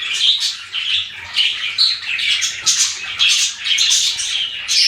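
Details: Pet budgies chatter in quick bursts of sharp chirps and whistled squeaks, roughly two notes a second, loud and continuous throughout.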